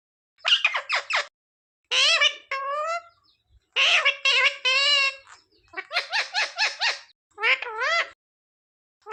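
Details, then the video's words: A talking pet parrot gives rapid speech-like syllables in clustered bursts, some with wavering, bending tones and sharp clipped notes, separated by brief pauses. Nothing else is heard. "So cute talking parrot"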